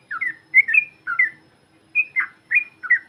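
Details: Yellow-vented bulbul calls used to excite other birds: short slurred two-part chirps in pairs, a few spaced notes with brief pauses between, faint low hum underneath.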